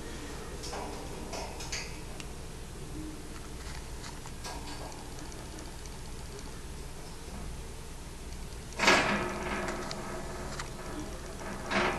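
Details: Indoor clicks, taps and a brief clatter with faint speech, but no clear animal call.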